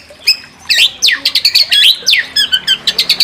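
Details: White-rumped shama singing to provoke a rival into full song: harsh, scratchy downward sweeps and squawky notes delivered in quick succession, with a few buzzy high elements.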